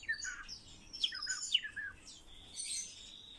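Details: Common starling being trained to talk, giving a varied run of whistled and chirping notes, sliding and warbling between mid and high pitches, with a brief buzzy passage near the end.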